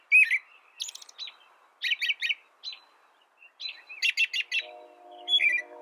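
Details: American robin singing groups of quick slurred notes in short bursts with pauses between, ending on a louder warble; a steady low humming tone enters in the last second.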